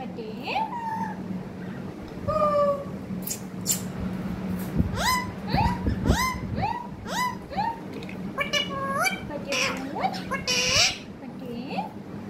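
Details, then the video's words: A pet parrot chattering in a run of quick upward-sweeping, speech-like notes, some clear and tonal, some raspy, with brief noisy bursts between them and a steady low hum throughout. "Pyaari baate karne wala tota"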